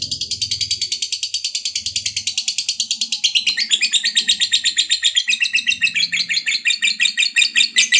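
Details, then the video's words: Lovebird in a long, fighter-style ngekek song, played to stimulate other lovebirds to sing: an unbroken, rapid, high chattering trill of steadily repeated notes, about three per second, which grows slightly louder and harsher midway. Faint low hum behind. "Pancingan Lovebird Ngekek Panjang SUPER FIGHTER"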